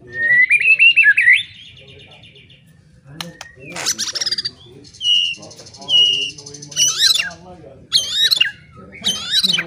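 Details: White-rumped shama giving a loud song meant to rouse other shamas to fight; a whistled opening, then varied buzzy, chattering and sharp notes in irregular bursts over a faint hum.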